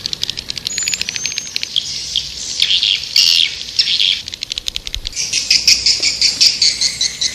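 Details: White-nest swiftlet lure call used to attract swiftlets: dense, rapid high twittering and buzzy chirps, irregular and overlapping, with a brief thin whistle early on and louder bursts of chatter toward the end.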